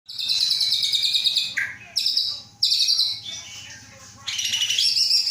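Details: Captive Aceh white-rumped shama hatched 23 August 2012, offspring of a bred Aceh bloodline male and a female from Terangun, Gayo Lues, Aceh, being readied for a breeding cage; loud buzzy high trilled phrases separated by brief pauses and sharp note bursts.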